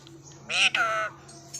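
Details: Pet parrot talking, mimicking speech: a short two-part voiced utterance, harmonic and speech-like, about half a second long, over a low steady hum.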